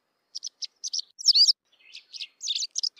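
A white wagtail gives a quick, lively twittering of high chirps and scratchy notes in short bursts, with a brighter trilled phrase midway; nothing else is heard.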